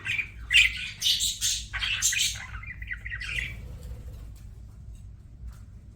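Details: Pet budgerigars chirping indoors: a burst of scratchy, buzzy chatter and squeaks in the first three and a half seconds, then fading to quiet with a low steady hum underneath.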